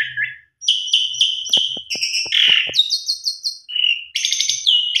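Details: Lure song of a Javan pied starling packed with fill-in phrases: a sequence of clear whistles at shifting pitches, a harsh buzzy note, repeated high chips and a closing whistled trill.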